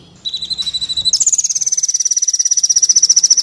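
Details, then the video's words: Van Hasselt's sunbird song used to train captive birds into singing and to lure wild birds. High, thin notes open, then a rapid buzzy trill repeats about three times a second, steady and slightly falling. "30 menit pancingan/masteran Kolibri Wulung full isian mewah"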